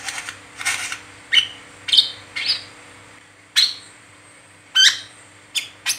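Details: Brown-throated sunbird, locally called kolibri kelapa or wiceh, singing in a rapid chattering 'ngeriwik teler' style, used as a lure to get other sunbirds singing; sharp high chirps and short trills in irregular bursts, with pauses between.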